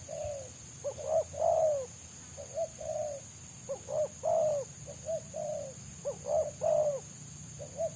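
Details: Free-living spotted dove whose fast, tight-packed song, mostly 'selang nguku', draws bird trappers. Low cooing bursts of two to three notes and a rolling coo recur roughly every 1.5 seconds against a continuous shrill whine.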